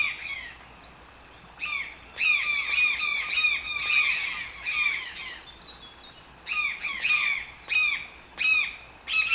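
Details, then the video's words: After a quiet start, toucan breaks into clustered nasal, downward-sliding squawks in uneven bursts, pausing midway before resuming. "TOUCAN SOUNDS - Toucan Sound Effect"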